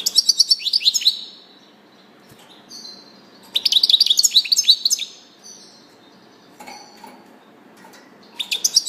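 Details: Repeated bursts of fast, jangling, twittering song from a European goldfinch, three main outbursts about three seconds apart with scattered soft notes between them.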